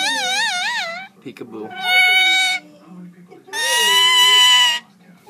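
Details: Singing Indian ringneck parakeet: a trilling, wavering whistle, then two long, loud, raspy drawn-out notes separated by pauses, with a person's low voice between them.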